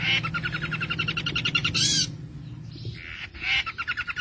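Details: Long-tailed shrike in 'full isian' song, rich with imitations of other birds: a fast string of repeated chattering notes, a loud harsh squawk, softer mewing sounds, then more rapid chatter.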